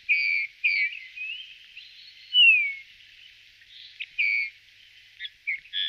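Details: Eurasian bullfinch giving a run of varied whistled notes, several sliding downward, with a louder descending whistle midway and short chirps spaced irregularly, in a quiet setting.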